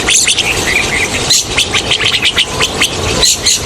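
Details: Rosy starlings calling, a recording meant to lure the birds for hunting: busy overlapping squeaks, chirps and scratchy notes, with a few brief clear whistles rising out of the steady chatter and a noisy background.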